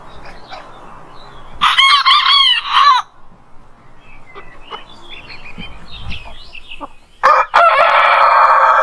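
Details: Wake-up crowing of a rooster in the morning before sunrise: a short, wavering crow, a stretch of quieter chirps and clucks, then a second harsh crow that begins late and is cut off at the end.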